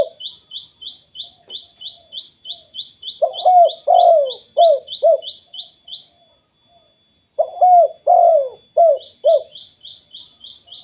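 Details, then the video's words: Spotted dove 'kuk 2' lure call meant to prompt other doves: two bursts of low mellow coos, five notes each with a longer middle note, while a fast even train of high chirps runs before and after. "BURUNG TEKUKUR KUK 2 BIKIN TEKUKUR LAINNYA BUNYI"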